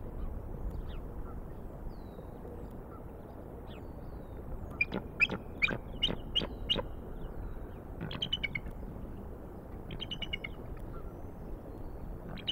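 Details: Bald eagle at the nest in Decorah, recorded 17 April 2019 in mid-afternoon: a quick run of sharp, high chattering notes between five and seven seconds, then shorter clipped bursts near eight and ten seconds, over a steady low rumble.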